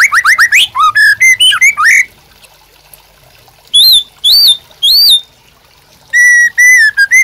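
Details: Singing captive white-rumped shama used for tutoring and provoking birds: quick varied whistles and slurred notes, a pause, three loud arched high whistles, another pause, then three repeated curving whistled phrases.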